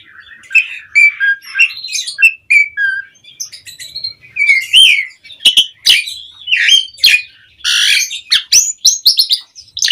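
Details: Asian pied starling in a pumping display, played as a lure to make household songbirds answer: loud varied whistles, slurred notes and harsh squawky bursts in an irregular, energetic sequence, with clean silence between phrases.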